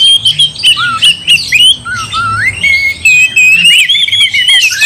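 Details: Oriental magpie-robin in full song meant to provoke a rival to fight, pouring out rapid whistled slurs and scratchy squawks, with downward and upward sweeping notes in quick succession.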